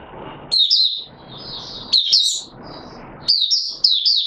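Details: Not yet fully conditioned caged Mata Puteh Raja white-eye, 9 May 2022, giving short bursts of high, wavering twitters about every one and a half seconds, with soft background rumble and rustling between.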